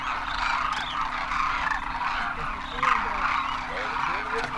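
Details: Large migratory flock of Demoiselle cranes in winter at a water hole in Khichan, Rajasthan, India, keeps up a steady chorus of overlapping croaking, trumpeting calls, with a low, steady hum underneath.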